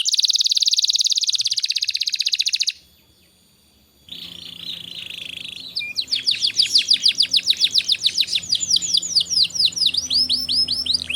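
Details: Canary singing to stimulate young canaries into full song: a rapid, dense high trill for nearly three seconds, a brief silence, a soft warble, then a long run of quick, repeated downslurred whistled notes.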